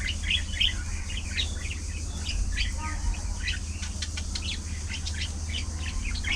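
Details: Pet budgies at afternoon feeding, a busy chorus of chirping: rapid, clipped high notes and rising squeaks repeat several times a second with little pause, over a continuous low hum.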